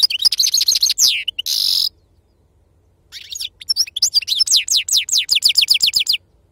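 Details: Sarfati-style song of an authentic wild-type European goldfinch: a fast ringing trill and a harsh buzz, two seconds of silence, then resumed twittering that settles into a brisk series of sharp downslurred whistles.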